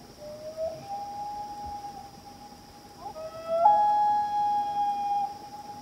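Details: At night on Washington Pond, Maine, a pair of loons calls to each other across the lake with long, pure, mournful tones that slide up and then hold steady, over a steady high insect-like hum.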